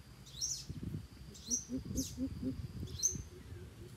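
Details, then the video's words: Coucal giving a short series of four low, hollow hoops in quick succession, mixed with low murmuring and thumps, while another bird's high, sharp chirps ring out over the top. "Bìm bịp thiêm ku dụ bổi"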